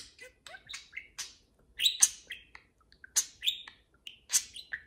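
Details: Two parakeets kept as pets chattering while playing, with loud sharp clicks, squeaky upslurred chirps and short warbles in irregular clusters, quiet gaps between them.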